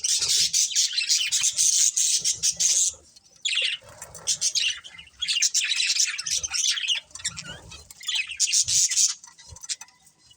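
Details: Budgerigars, a breeding pair, chattering steadily in high, buzzy warbled chirps, grouped into long bursts with brief gaps between them.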